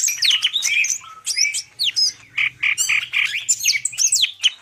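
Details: Greater green leafbird of the Medan type, singing energetically with full mimicry: dense run of swooping whistles, sharp chirps and rattling, chattering notes in quick phrases with brief gaps between them.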